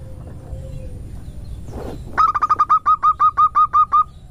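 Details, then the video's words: A female zebra dove gives a lure call: a quick run of about thirteen short, clipped, low, evenly spaced notes over two seconds, after a stretch of soft hiss. "Suara PIKAT PERKUTUT Betina Nutut Ngerot"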